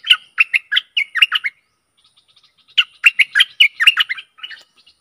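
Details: Decoy song of a Stripe-throated bulbul for luring aggressive wild birds, with a lively run of liquid, warbling chirps, a break of soft faint notes, then a second busy chattering phrase.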